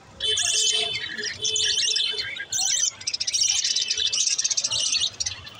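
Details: Green lovebirds, pet birds, chattering with sustained shrill twittering and squeaks, a brief pause midway, then an intense stream of rapid high chirps.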